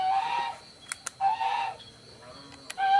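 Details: Juvenile spotted dove calling in short, strained tonal notes, three phrases spread over three seconds, with sharp clicks between them and a faint high background hum.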